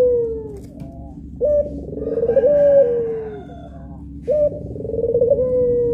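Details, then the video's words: Puter pelung dove, one of two birds, giving drawn-out tonal coos that step up, then waver and slide gently downward; two long phrases with a short gap between them, against a steady low hum. "PUTER PELUNG MASTERING || SUARANYA BIKIN MERINDING"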